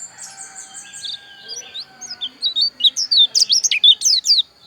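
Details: Javan white-eye, Bali dakun type from Pupuan, singing a fast, high, tumbling song: soft trilled notes build into loud, rapid sweeping chirps and slurred whistles, roughly two per second, very clean background.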